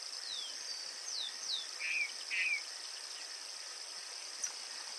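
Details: Yellow cardinal song of several quick descending whistles followed by two lower, slurred notes, set against constant high insect buzzing and a brief click near the end.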